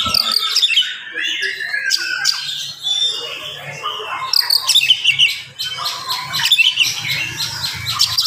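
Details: Oriental magpie-robin singing in the morning at a fast, tight pace meant to excite other magpie-robins: bursts of sharp high notes and sliding whistles, with brief pauses and a low background hum.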